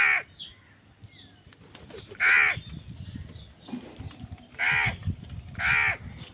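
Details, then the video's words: Crows squabbling over food: four loud, harsh caws spaced about a second apart, each a broad hoarse burst, with faint chirps from smaller birds between them. "কাকের ডাক Crow Sound Crow ki Awaz Loudly | Crow bird Fight for Food"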